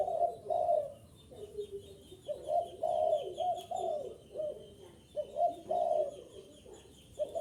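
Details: Decoy-style cooing of a spotted dove to attract wild birds: deep, breathy coo-coo-croo phrases, several per few seconds, with short pauses between, and faint high twittering of small birds throughout.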